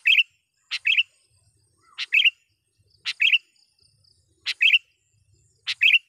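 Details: Gacor sooty-headed bulbul calling a rival and luring wild bulbuls: a sharp broadband click followed by a bubbly warbled phrase, repeated about every 1.2 seconds, five times, in a quiet setting.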